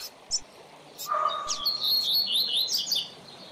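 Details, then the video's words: Double-collared seedeater (coleiro/papa-capim) singing a quick, high, twittering warble of jumbled chirps, with a steady, lower whistled tone running briefly beneath it. "Coleiro ou Papacapim - Coleiro Professor Aprendizado"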